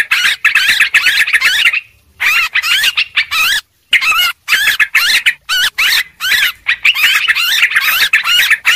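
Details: Lure calls of the yellow-vented bulbul, described as noisy: busy, rapid, bubbling chatter of looping notes, broken by a few short silences, then resuming in dense excited runs.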